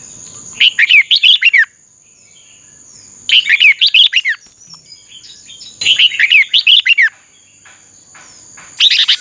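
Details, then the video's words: Singing-contest Red-whiskered bulbul in song training: short bright warbled phrases of several quick whistled notes, one burst roughly every two to three seconds, separated by quiet gaps, with a constant thin high tone throughout. "Chào mào hót đấu Chào mào luyện giọng hót hay"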